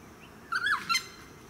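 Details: Noisy friarbird in a eucalyptus tree in a suburban park on the Sunshine Coast, Queensland, July 2017: one loud, harsh, rasping call of two close notes, the first bending up then down, the second shorter, over a low background hum.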